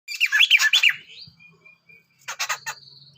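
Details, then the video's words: Sunda laughingthrush male and female singing together: a burst of loud, harsh, rapid chattering notes, a rising squeal, a pause, then another short chattering outburst ending in a thin whistled tone. "Suara burung poksai mantel jantan dan betina"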